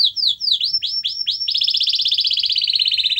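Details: Canary singing, used to encourage a silent canary to start singing: a run of quick falling swept notes about four per second, then a long, even, rapid rolling trill.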